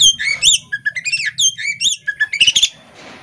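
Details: Caged female Oriental magpie-robin with tail spread, singing bright whistled slurs and quick chirps in rapid succession, ending in a soft hiss.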